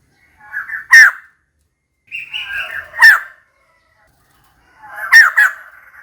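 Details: Loud, harsh calls from a female white-crested laughingthrush seeking a mate, three strident bursts about two seconds apart, each opened by a brief grating chatter; the background is otherwise silent.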